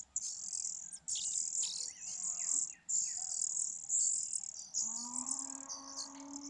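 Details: Fujian niltava nestlings, four in a grass-hidden nest, begging while fed; very high, shrill hissing bursts about a second long, repeated with short gaps, with a faint low whistle near the end.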